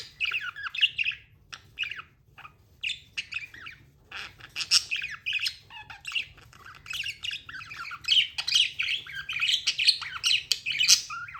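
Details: Budgerigar chattering almost nonstop: rapid strings of short chirps, clicks and scratchy warbles, rising into dense, excited bursts toward the end over a steady low background hum.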